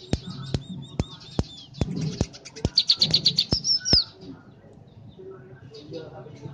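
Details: {'caption': "Captive, tame scaly-breasted munia, a seed-eater seen as a farm pest, giving 'ceplekan' song: evenly spaced sharp clicks, then a quick buzzy trill ending in thin descending whistles, followed by quiet chatter."}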